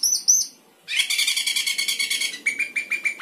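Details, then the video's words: Sooty-headed bulbul singing 'gacor isian': high chirp pairs, then a dense buzzy chattering trill, ending in a string of sharp, evenly spaced clicking notes. "Cucak keling gacor isian"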